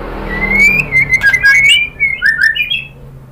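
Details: Female white-rumped shama calling the male, giving a quick string of loud clear whistles that rise and fall in short slurred notes, packed closely over about three seconds against a faint low hum.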